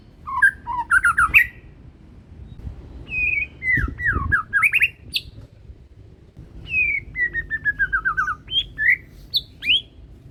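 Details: Captive-bred Medan white-rumped shama with a leg ring, a youngster still in juvenile feathers, in full loud song: bursts of clear whistles, a long descending series of quick notes and rising squeaky calls, a dull thump mid-clip, steady low background noise.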